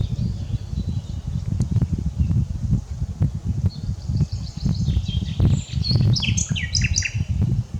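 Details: After several seconds of low rumbling noise, a common nightingale bursts into a short strophe of high sharp notes and rapid chirps; unedited recording.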